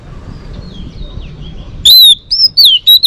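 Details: Singing female Oriental magpie-robin, recorded to rouse males for training. Soft distant warbling gives way to loud bright whistles that rise, then waver and fall, delivered in short bursts.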